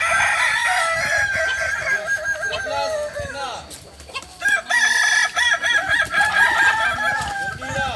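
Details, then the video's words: Kukuak balenggek rooster crowing during a training session at Ampang Kualo, Solok: long wavering crows made of rapid rippling syllables, broken by a short pause near the middle, then resuming loudly with stepped, undulating notes and background clatter. "latihan ayam kukuak balenggek"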